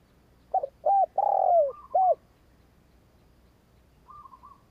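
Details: Spotted dove decoy bird cooing to provoke other doves into calling: a quick phrase of soft, hollow coos, followed by a fainter trailing note.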